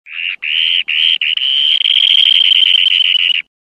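A Dunlin gives three short, buzzy notes, then a long, rapid purring trill held at a steady high pitch for over two seconds.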